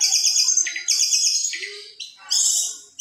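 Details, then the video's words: Long-tailed shrike from hobbyists' 2020 contest recordings, mimicking other songbirds: bright, sweet whistled phrases sliding up and down, loud and continuous, with a lower warble in the middle. "Materi Cendet / Long Tailed Shike"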